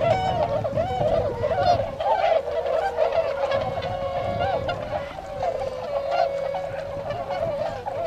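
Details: Tundra swans wintering at a pond in Azumino, Nagano, Japan, on 22 February, flying out to feed in nearby rice fields: a flock calling together in a continuous chorus of mellow, hooting honks overlapping at a fast, irregular pace.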